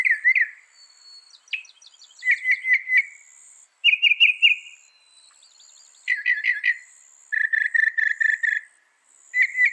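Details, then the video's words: Singing Northern mockingbird cycling through varied phrases: chirps, slurred whistles, quick stuttering trills and a buzzy repeated note, each brief motif repeated several times before a new one begins. "Masteran Burung Kicau Mockingbird Gacor - Mockingbird Bird Sound"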